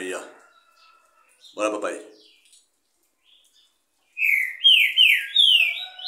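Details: Green-winged saltator on a Monday around 10 in the morning, a man talking briefly, then a burst of loud whistled song: four rising, slurred notes delivered in quick succession.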